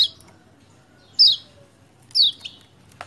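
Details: Lemon-bellied white-eye, 28/11/20, lure to coax a silent bird into song; loud high chirps sweeping downward, coming in quick irregular bursts with a short trailing note, over light background hum.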